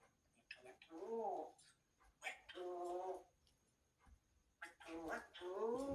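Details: Pet grey parrot talking indoors in a sweet voice, giving short speech-like phrases with harmonic, warbling vowel sounds in three bursts separated by pauses, in a small quiet room.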